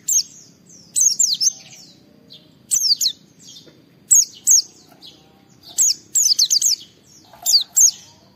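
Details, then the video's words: Oriental white-eye (pleci), a caged bird singing to provoke other white-eyes into song: short clusters of two to four high, down-slurred whistles roughly every one to two seconds, with quiet gaps between. "Suara Burung Pleci Gacor Cari Lawan Bikin Semua Pleci respon gacor buka paruh"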